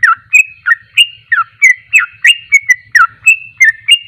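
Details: Trucuk, the sooty-headed bulbul, giving its fast ropelan song: crisp whistled notes that swoop down or up, repeated about three times a second, over a soft, steady low hum.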